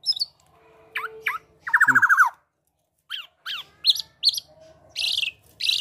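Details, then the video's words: Male black-naped oriole singing an unusual, mimicking song: sharp downslurred chirps, a harsh rattling burst, then high squeaky notes and rough squawks separated by short pauses. "Gocor Aneh Kepodang Emas,Bisa Menirukan Suara Burung Lain."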